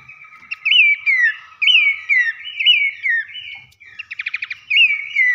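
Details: Babbler song played as a lure to trigger singing in other babblers: looping whistled notes that climb and then glide down, with a brief rapid rattling series of clicks partway through.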